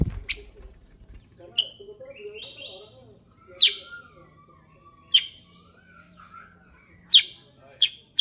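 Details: Sooty-headed bulbul (kutilang sutra) calling in 'gacor ngerol' style: scattered loud, sharp chip notes every one to two seconds, between soft whistled phrases, with low voices murmuring in the background.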